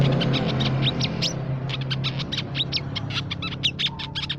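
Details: Crimson sunbird (Aethopyga siparaja) gives a rapid stream of thin, high, sharp chips and short squeaky notes, about two or three a second, over a steady low hum.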